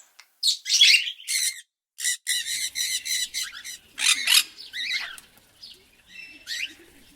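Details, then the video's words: Parrot giving rapid harsh chattering squawks in dense runs, broken by brief pauses, with a few tonal whistled notes near the end. "Natural parrot sound"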